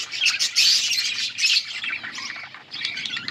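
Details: Budgerigars in a colony, eating and chirping: a loud continuous tangle of quick high chirps and scratchy warbling notes from several birds at once.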